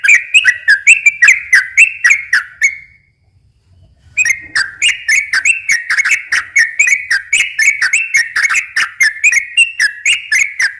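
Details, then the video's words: Sooty-headed bulbul, sung in slow and long rolling style to lure wild bulbuls: rapid runs of whistled, wavering notes, several each second, broken by a one-second pause before resuming just as busy. "kicau suara trucukan gacor ropel pelan dan ropel panjang ini cocok tuk memancing trucuk bahan ombyok"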